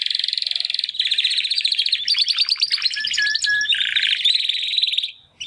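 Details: Timbrado canary brothers, born in the second breeding round of 2020, try singing for the first time since their first molt. A nearly continuous string of high rolling trills changes speed and texture for about five seconds, then stops abruptly.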